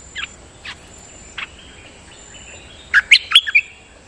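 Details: Decoy song of a dok taeng bird: a few soft spaced notes, a thin drawn-out whistle, then a loud closing burst of sharp chirps and slurred whistles.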